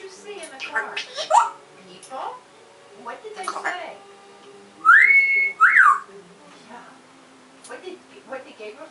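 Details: African grey parrot giving soft chatter and clicks, then a loud clear whistled phrase that rises, holds level and drops, followed by scattered quieter sounds.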